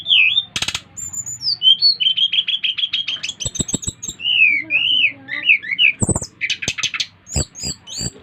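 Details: Brown-chested jungle flycatcher from Bali in energetic song that prompts other flycatchers to sing: clear wavering whistles, a run of rapid repeated notes, looping slurred phrases, and scattered sharp clicks.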